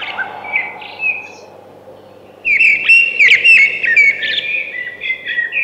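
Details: Thrush song: a few soft whistles, a quiet gap, then a loud, fast phrase of bright, sliding notes.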